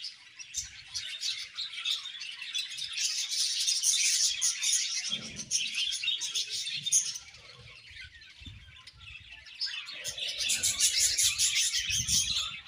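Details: Budgerigars pairing give continuous high, warbling chatter with rapid twittering and chirps layered together. The chatter swells and fades in waves, with a few soft low thumps and rustles beneath.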